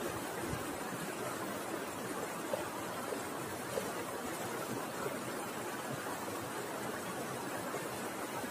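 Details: Even broadband hiss continues throughout, with a couple of faint ticks and no animal sound.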